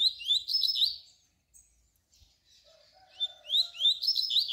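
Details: Double-collared seedeater singing canturia as a tutor song for young birds: a quick phrase of rising slurred whistles, a pause with faint lower notes, then another bright, accelerating run of chirps.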